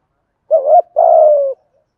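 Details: Spotted dove in the 'thổ' cooing style, meant to stimulate wild birds: one low two-part coo, a short wavering note then a longer steady slightly falling coo, clean background.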